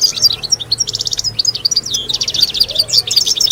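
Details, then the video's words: European goldfinches singing together as a group song to train young birds and stimulate females to mate: dense, rapid high twittering with tinkling notes, buzzy rattling trills and liquid chirps overlapping throughout, with a faint low hum beneath. "افضل بتبتة جماعية لتحفيز وتدريب طيور الحسون على الغناء"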